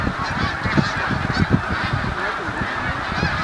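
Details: Hundreds of snow geese landing on Cayuga Lake; a dense, loud chorus of overlapping honking and yelping calls fills the whole clip without a break.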